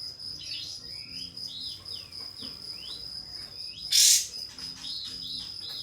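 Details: Pied fantail singing as a lure to provoke a rival: a string of soft, swooping whistled notes, then one loud raspy burst, then more faint whistles, with a steady shrill drone in the background.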